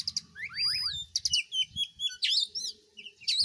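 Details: Oriental magpie-robin, filmed while singing and dancing, pours out a varied song of clear whistles, slurred rising and falling notes and quick chips. A low rumble sits underneath.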